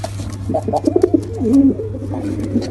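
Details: Male and female pigeons cooing together: low, throaty rolling coos with bubbling pulses, one drawn-out moaning note midway, over a steady low electrical hum.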